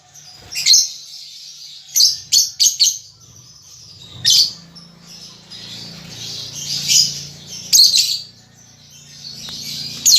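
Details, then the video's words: Baby lovebird learning its chatter: a long run of sharp, scratchy high chirps, some in quick clusters, over steady soft twittering and a faint low hum. "Lovebird Paud Baby Balibu Muda Belajar Ngetik Ngekek"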